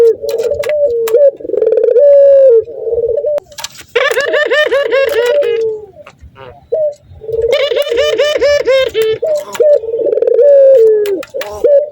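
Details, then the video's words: Breeding male Barbary dove, excited at seeing a female, alternating steady low coos with two long runs of rapid, bubbling, cackling laughter, then returning to a warbling coo. "Suara Burung Puter Jantan Gacor Tertawa Kuntilanak Birahi Nguku Melihat Betina"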